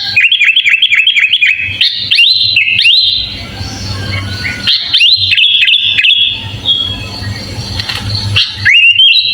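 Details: Sooty-headed bulbul singing a full fill-in song, used as a master recording to train other birds: a quick run of repeated upslurred whistles, then longer liquid warbled phrases and pauses, closing with another rising whistle.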